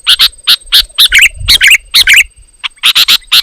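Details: Sooty-headed bulbul delivering dense, loud song said to agitate other bulbuls into replying; short harsh notes in pairs, about two a second, some with bubbly downward twists, a brief pause, then a fresh run of chips.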